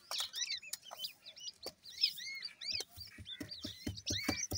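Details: High arched peeping from a group of grey francolin (teetar) chicks, in bursts of overlapping notes. Sharp ticks and low tapping sounds become more frequent toward the end.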